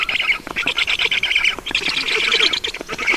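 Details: Estonian Black Stork nest on a June evening in 2019, 20:28, water brought to the nest; a steady stream of harsh, fast-pulsed squeaking calls with little pause throughout.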